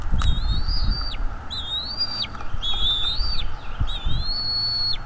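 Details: Nest-camera recording of a Bald eagle at its nest, 23 April 2021, 07:25 in the morning: four strong, high, wavering whistles, each swelling then dropping sharply at the end, coming roughly every second, with low knocks underneath.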